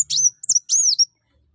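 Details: Kuwul (kolibri wulung or mucang) sunbird singing energetically: three quick, very high, sharp whistled notes, each sliding and warbling, within about one second, with a faint low hum early on.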